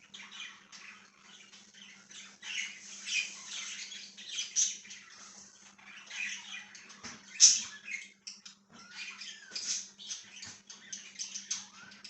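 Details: Chirping budgerigar, recorded 1/6/2023, gives a continuous scratchy warble studded with clicks and a loud sharp chirp near the middle, over a faint steady hum.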